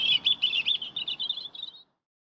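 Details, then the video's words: Singing European robin gives a rapid twittering phrase of high, thin notes that run together, tumbling slightly lower and fading out after nearly two seconds, followed by silence. "CANTO DEL PETTIROSSO. (ERITHACUS RUBECULA)"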